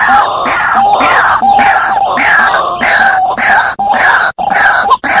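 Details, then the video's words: A lure recording of a white-breasted waterhen gives a continuous run of loud, raucous, wailing croaks. The harsh notes repeat roughly every second with a sustained nasal note beneath, and the recording is strongly distorted. "Suara pikat ruak ruak"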